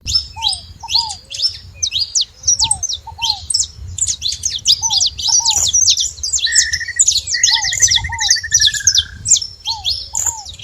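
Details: Saffron finches making noise at a feeding spot: a dense, continuous chatter of high, sharp chirps, with lower slurred whistles repeated in pairs and a rapid buzzy trill midway.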